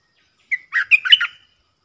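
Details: Bulbul heard in a southern Thai decoy-cage session where a wild bird sings back at the lure: a compact, burbling phrase with an opening whistle and a quick tumble of liquid notes, lasting about a second.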